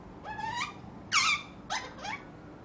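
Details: A five-month-old pet ring-necked parakeet indoors gives four harsh, rising squawks over under three seconds, the loudest a sharp screech near the middle, with otherwise quiet surroundings.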